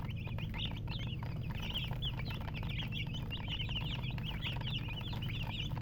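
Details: Many baby chicks peep at once, a busy stream of sharp, squeaky chirps with rising and falling inflections, accompanied by a persistent low hum.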